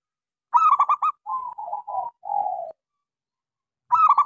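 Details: Local zebra dove with a small voice singing a lure song for silent doves: a fast burst of ringing clipped notes, a rippling mid phrase, then a long low coo, and the next burst starting at the end.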